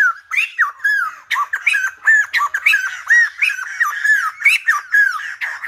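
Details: A silver-headed babbler delivers lively song, a steady stream of clear, bouncy whistled notes that swoop up and down, each short and closely spaced, in an unbroken lilting rhythm.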